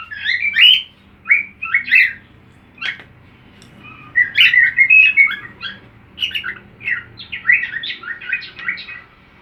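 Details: Cockatiel singing along with another cockatiel's song: bursts of warbled, chirpy whistles in broken phrases separated by short pauses, with a sharp click between them.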